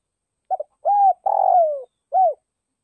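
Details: Spotted dove kept as a decoy bird, calling to lure and excite wild doves: a short stuttered double note, an arched hollow coo, then a long rough coo sliding downward, and a final arched coo, in clean quiet surroundings.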